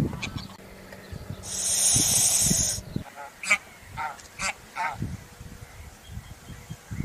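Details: Greylag goose, recorded on Sony HDR-CX155E and Panasonic HC-V180 camcorders: a loud steady hissing burst early on, then a series of short, harsh, nasal honks from the three-second mark, coming in uneven bursts roughly every half second over low background rumble.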